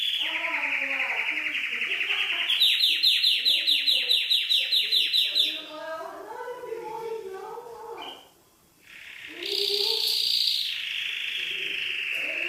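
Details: Canary song: a high sustained trill, then a fast run of rapidly repeated notes about six times a second, then a quieter rolling passage and a brief pause before another bright steady trill, with faint lower warbles underneath.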